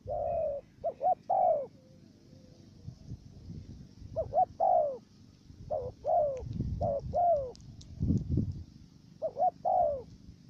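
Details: Decoy dove for trapping in Cà Mau, Vietnam, repeating short-long stuttering coos in clusters, partly over louder low thumps and rumbling background noise.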